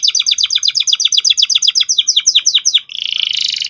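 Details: Canary song meant to coax young canaries into singing: a run of about twenty-five sharp descending chip notes at a steady rapid pace, ending in a dense buzzy trill.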